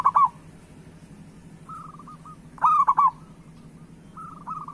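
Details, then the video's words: Captive local zebra dove singing as a prompt for other doves; loud rolling coos repeated roughly every two and a half seconds, answered by softer trilled cooing from nearby doves and a steady low hum. "Perkutut Lokal Gacor Suara Pancingan Burung Perkutut Paling Cepat Bunyi"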